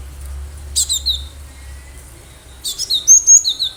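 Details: Wild cinereous tit (gelatik batu) in full song, recorded as a lure for trapping birds. High whistled notes paired with lower sliding notes, one short phrase followed by a longer run of alternating notes.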